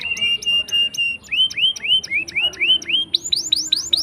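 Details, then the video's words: Canary singing to prompt quiet canaries: a flat whistled tone, then a series of repeated upslurred notes about four per second, rising higher toward the end. "Pancingan Kenari Gacor Ngeroll panjang!! Buat Kenari Macet Bunyi pun Langsung Respon"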